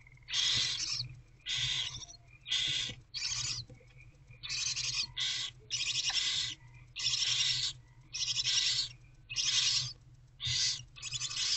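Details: Barn owl owlets in Owl Box C at about 4 am, 11 February 2024, mother away: loud, regular rasping hisses of under a second each, around one per second, with quiet breaks between.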